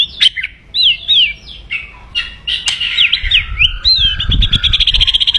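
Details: Aggressive white-rumped shama crackling to stir rivals: sharp looping whistles and clicks in quick succession, building into a rapid buzzy trill of repeated notes, with some low rumble underneath.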